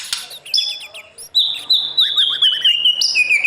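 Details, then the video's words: White-rumped shama singing at dawn to coach wild-caught birds for contest song: a few high chips, then a long, slowly falling pure whistle layered with quick, lower slurred notes. "Chòe lửa hót sáng luyện giọng cho bổi hót đấu căng lửa , chòe lửa luyện giọng"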